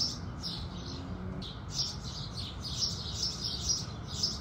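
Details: House sparrows singing with the rising sun: bright, high chirps repeated in quick succession, several overlapping, over a steady low background rumble.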